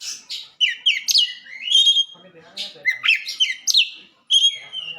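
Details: White-rumped shama song for training caged birds, a rapid medley of sharp whistles, upslurred notes and scratchy chatter with a short silent break.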